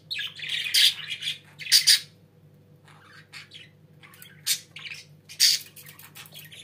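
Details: Pet budgerigars indoors giving short harsh squawking bursts and scratchy chirps, with pauses between, a low steady hum underneath.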